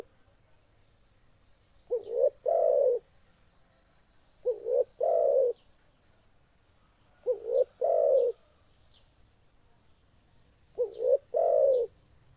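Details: Spotted dove cooing as a trapping lure: four low phrases spaced about three seconds apart. Each phrase has a brief rising note and then a fuller, longer coo, with quiet between phrases.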